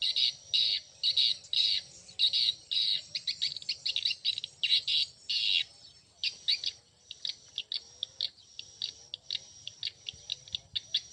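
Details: Swiftlets producing loud, shrill, buzzy chirp bursts, dense at first and then thinning into quicker, shorter ticks, with a soft low hum in the background.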